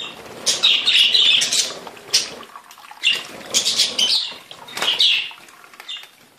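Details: Several budgerigars chattering, a scratchy warbled burst followed by scattered chirps and squeaks with quiet gaps between them.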